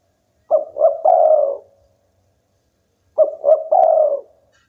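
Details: Prolific local spotted dove whose song is said to draw rivals into calling: two matching low phrases, each a pair of brief coos followed by a drawn-out, slightly falling coo.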